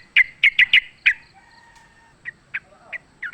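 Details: Sooty-headed bulbul in the wild during a fight, recorded as a lure; four fast sharp chips, a pause, then a few spaced short notes.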